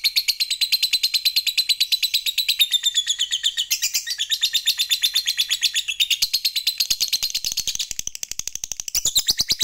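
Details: Lovebird fighter's long provoking chatter, ngekek panjang style: a relentless fast trill of piercing pulses, pitch wavering, with a few harsher accented notes toward the end.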